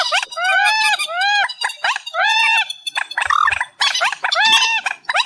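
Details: Amplified recording of reed warbler song, called a night bird sound: repeated nasal, arched, honking phrases alternating with rough churring notes and brief pauses.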